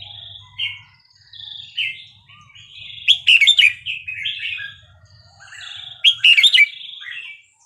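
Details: Red-whiskered bulbul singing the Burmese 3-4-5-6 style meant for teaching young birds: short whistled slurs building into two loud, jumbled chattering flourishes, separated by quieter lilting phrases; a low hum fades out.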